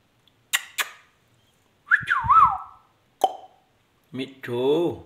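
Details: Indian ringneck parakeet mimicking speech: two sharp clicks, a looping, wavering whistle, a short nasal note, then a hoarse word-like phrase with rising and falling tone, indoors with no other sounds.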